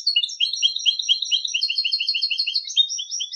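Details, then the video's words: Competition song of a European goldfinch: continuous, rapid twittering with liquid, slurred notes and brief buzzy elements, delivered at a steady brisk pace of about two notes per second overlaid by high tinkling trills; no other sounds. "cd concurso jilguero"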